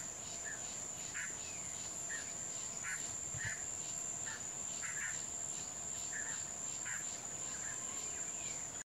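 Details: Rufous-tailed jacamar (Galbula ruficauda) in the Paraguayan Pantanal, Alto Paraguay, in February 2017 gives short, sharp mid-pitched call notes roughly once a second over a steady, high insect drone.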